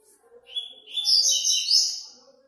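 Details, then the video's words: Online tournament entry of a Double-collared seedeater: a single quick song phrase that starts with clear whistled notes and swells into a dense, high, twittering trill before fading, over a quiet faint low hum. "TORNEIO VÍDEO WEB COLEIRO ON-LINE"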